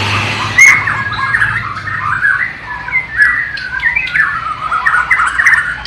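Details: White-rumped shama from Borneo, East Kalimantan, singing mimicked flycatcher (sikatan londo) material, recorded about three years earlier on a low-resolution camera: varied short slurred whistles and chattering phrases, rising and falling, with a faint low hum early on.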